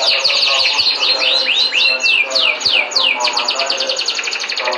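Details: Canary song: rapid trills of downslurred whistled notes, some slower looping swoops in the middle, then a fast even rattle-like trill, all bright and high-pitched.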